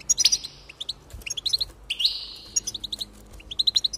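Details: Goldfinch song to spur singing: quick tinkling chirps, a rising buzzy slur near the middle, and closely spaced twittering notes at the end, all bright and high.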